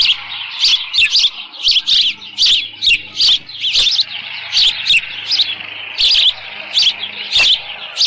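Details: Osprey at its ranch nest on 13 June 2018 about 11:37 AM with leftover fish; a long series of loud, shrill whistled yelps, irregular but nearly constant, some doubled, with a low background hum.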